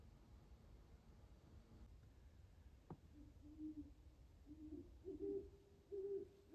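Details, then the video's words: Just before dawn at a frozen pond in Carver, Massachusetts, an owl ending its night of hunting hoots softly; after a sharp click, low hoots come roughly once a second, louder toward the close, over quiet steady background noise. "Owl Hooting That Night is Over Just Before Dawn"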